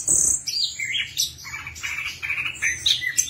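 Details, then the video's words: Orange-headed thrush song meant to make a silent bird sing: a loud high trill opens, then a string of short whistled notes that step down and rise again, each phrase brief and clear. "PANCINGAN SUARA ANIS KEMBANG MACET BUNYI"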